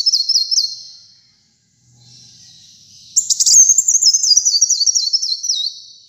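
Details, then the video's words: Brown-throated sunbird (kolibri muncang), a kept songbird singing lively: high, thin zigzag trills that step rapidly up and down and fall at the end of each phrase, then a brief pause and a longer, brighter trilled run. "Kolibri Muncang Gacor Dor"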